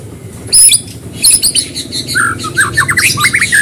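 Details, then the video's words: White-rumped shama song used as a prompt: loud scratchy high squawks and chatter, then a quick run of short downslurred whistled notes at the end, with low background hum. "Murai batu Gacor pancingan cepat bunyi"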